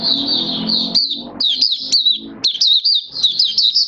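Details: Hobby-kept oriental white-eye in build-up form, 19 September 2022, singing a near-continuous high, wavering warble of quick trilled notes broken by brief gaps, with a low hum underneath at the start.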